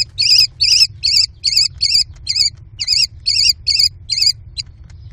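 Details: Kestrel chicks in a nest box, American kestrel, screaming over prey at feeding time; a series of ten quavering, shrill high screams at about two and a half per second that stops abruptly.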